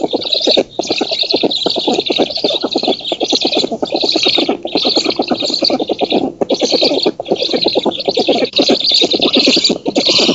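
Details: Black storks on an oak nest in Poland, 19 June 2017, nest camera, during feeding by the female and chasing off an intruder; long unbroken stream of fast, dry, ticking pulses over a wheezy hiss, with only brief pauses.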